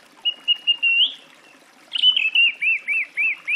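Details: Song thrush song: a sustained whistle broken into pulses rising at the end, then a loud phrase of looping slurred whistles repeated five times in quick succession.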